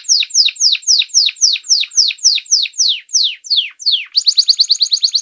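A canary sings a run of high, steeply falling whistled notes, about three a second, then breaks into a fast, bright trill of rapid chips.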